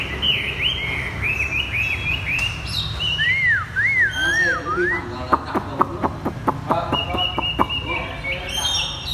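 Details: Chinese hwamei sings the 'thắt cổ chai' (bottleneck) style, a bought cage bird. Rapid looping, wavering whistles run into a quick series of dry clicks, then high drawn-out notes.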